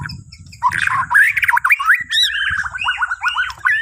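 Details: Bornean white-rumped shama in morning lure song for other birds: after a low rumble, loud warbled phrases give way to a rapid run of rhythmic slurred whistles repeated several times.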